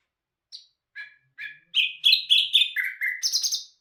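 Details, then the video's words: A nightingale, named bulbul hazar dastan, starts with soft, spaced single notes that quicken into a loud, rich, rattling phrase of rapid varied notes. "Bul bul hazar dastan singing toons"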